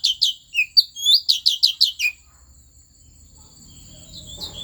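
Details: Asian fairy-bluebird, Central Highlands forest in Vietnam, song to provoke other birds: about ten loud, clear, rising whistled notes over two seconds, followed by quiet with a steady faint high tone and low rustling.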